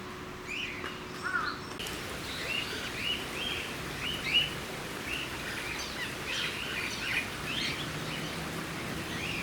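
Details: Cockatiels at the Campbelltown Forest of Wild Birds in Saitama, Japan, on 31 March 2018: repeated short rising whistled calls, several overlapping, over a steady hiss of background noise.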